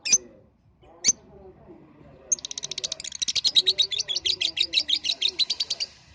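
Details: Lovebird lure song for getting young lovebirds under five months to sing: two isolated sharp high chirps, then a long, rapid, rhythmic chatter of high notes that builds in loudness and runs for over three seconds.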